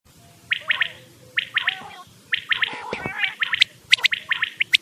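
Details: Quail calls from a cassette used to lure birds for hunting: short, bright chirped notes in clusters of two or three, with pauses between groups and a few lower gurgling sounds in the middle.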